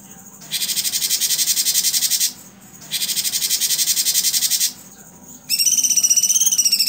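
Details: Blue-winged leafbird (cucak cungkok) performing 'tembakan' style song for cagebird tutoring: two sustained grating buzzy trills separated by a pause, followed by a rapid series of bright, ringing notes.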